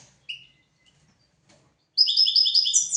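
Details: European goldfinch, from a recording for training goldfinches and canaries: a couple of short isolated chirps, then a sudden bright burst of fast tinkling twitter in the final second.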